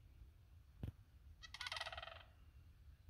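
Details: Sandhill crane, one of two birds near a backyard, giving a single loud rolling, rattling bugle lasting under a second, after a sharp knock and over low background rumble.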